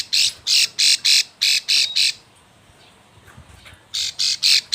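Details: Plain Prinia female in breeding condition calling to the male, used as a lure: bursts of rasping, buzzy high notes about four per second, a brief pause, then another burst.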